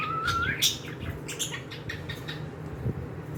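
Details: Pet cockatiels indoors: one clear whistle slides gently down and then flicks upward into a sharp chirp, followed by scattered soft chirps and a low steady hum.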